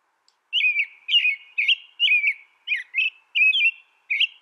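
An American robin sings a run of clear, warbled caroling phrases, each brief and slightly slurred, delivered about twice a second over a quiet background.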